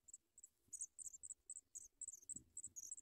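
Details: African pipit young at the nest begging as adults feed a chick: thin, very high chirps repeated rapidly about three or four times a second in begging bursts, with faint low rustling beneath.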